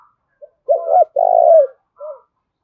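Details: Spotted dove decoy calling to provoke fighting: a wavering, throaty two-part coo and then a long, even, slightly falling coo, closed by a short soft note.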